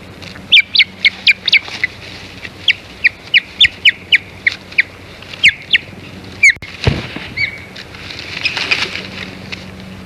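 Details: Osprey at its Hog Island nest, 15 April 2022, driving away an intruding osprey: a rapid, uneven run of shrill whistled chirps, about four a second, broken by a loud rustle and a thud.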